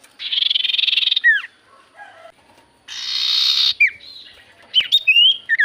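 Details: Javan white-eye song played as a lure to make common ioras sing: a buzzy trill ending in a falling slur, a second harsher buzz, then quick rising and falling whistles.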